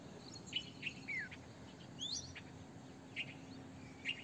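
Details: Red-vented bulbul giving short, bright chirps and a few quick slurred whistles, scattered irregularly over a few seconds, against a steady low background hum.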